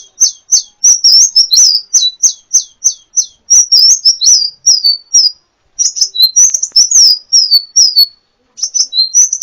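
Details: Sunbird (kolibri ninja) song used to tutor songbirds: a run of evenly spaced, high, downslurred chirps opens the phrase, then faster twittering trills follow, broken by brief pauses. No background noise.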